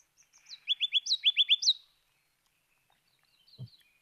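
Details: Male Ruby-crowned Kinglet song, starting very high and fast, descending and going up and down: about eight loud, rapid, high chirping notes in a rollicking series, then a faint soft note and a low thump.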